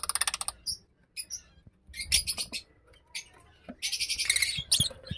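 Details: Blue mask lovebirds kept as pets, calling: shrill, high-pitched chirps and rapid pulsed trills in bursts, with short pauses and a denser chattering run near the end.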